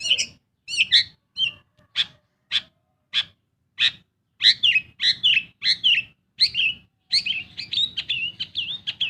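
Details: Pet Long-tailed shrike in vigorous song meant to prompt silent birds to sing: spaced, sharp high notes and trills, speeding into a tumbling, varied chatter near the end.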